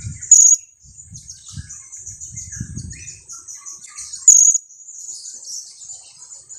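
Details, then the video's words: Two-week-old blue-crowned hanging parrot chick used as a lure, giving two shrill, very high 'kiak' notes about four seconds apart over a continuous thin, high twittering, with faint low thumps early on. "junior KIAK²...usia 2 minggu"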